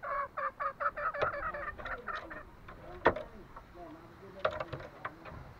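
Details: Green junglefowl from Lombok: a run of about eight quick, nasal, harmonic clucking notes over the first two seconds, then scattered softer notes and a few sharp clicks.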